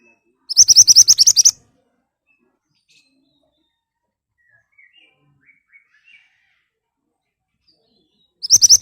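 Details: Ashy tailorbird in sharp, persistent song as a lure for replies: a rapid burst of about ten high chirps, a long quiet gap with a few faint distant notes, then the burst begins again.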